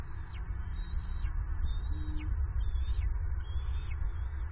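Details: At dusk, bald eagle eaglets on their nest squee while hoping the adult male brings food: a series of high, thin slurred whistles, each rising then dropping, roughly every 0.8 seconds, against constant low-pitched wind noise.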